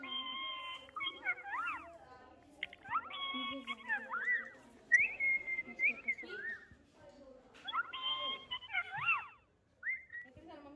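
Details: Pet Alexandrine parakeet talking: chattering bursts of rising, wavering whistles and harsh, speech-like phrases with short pauses between them.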